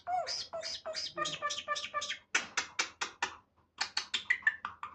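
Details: Myna said to be talking: a fast chain of short, harsh, rasping syllables, about four per second, in three runs with brief pauses, ending in a few clearer whistled notes.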